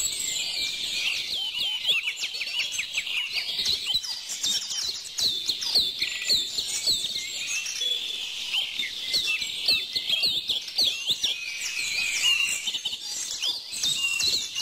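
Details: Steady dawn-chorus-like mix of many birds: bright twitters, rapid trills and thin whistled notes pile up continuously for the whole stretch, with no other sounds standing out.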